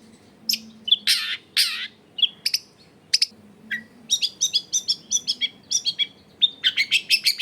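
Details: Long-tailed shrike in energetic song, a lure recording meant to make other shrikes sing, from a crowded residential setting: harsh broad rasps at first, then rapid chattering and jumbled chirps repeated in quick bursts, low household hum behind.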